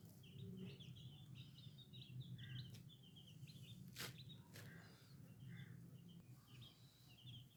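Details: Baby chicken chicks giving high, thin peeps in quick, uneven series, partly masked by a steady low hum and a few sharp clicks.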